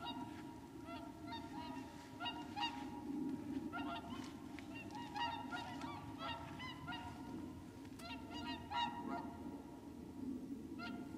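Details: Whooper swans (Cygnus cygnus) wintering at Lac du Der, Champagne, France, on 30 January 2014, trumpet in a steady chorus of loud, nasal, bugling honks, many birds calling over one another against a constant low rumble.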